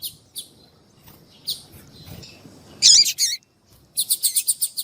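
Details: Coleiro tuí tuí seedeater with a calling female, played to stir up a male: scattered high chips, a loud harsh burst, then a rapid even series of about eight sharp repeated notes.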